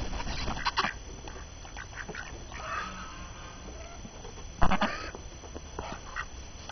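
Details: Hungry ducks released from their coop on a snowy January 6, 2012 morning. They keep up busy chatter: brief raspy quacks, a longer harsh run midway, then a sudden loud quack burst near the end over low rumbling noise.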